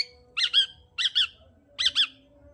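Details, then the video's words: Long-tailed shrike song meant to rouse a silent bird: three rapid paired raspy bursts, about 0.6 seconds apart, each pair strongly harmonic, over a low steady electrical hum. "Pancingan Cendet Gacor Untuk Menaikkan Emosi Cendet Malas Bunyi"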